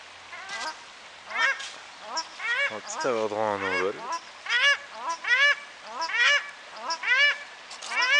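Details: Paradise shelduck in New Plymouth, New Zealand, possibly as birds take flight, giving a long series of harsh honking calls about once a second, with a deeper drawn-out nasal call in the middle.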